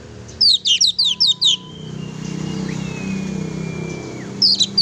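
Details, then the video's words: Oriental magpie-robin in vigorous song, used to trigger a pet magpie-robin: a rapid string of about seven sharp high notes, then long level thin whistles, and another quick chattering burst at the end. "kacer gacor sangat cocok buat memancing emosi burung kacer kesayangan kamu."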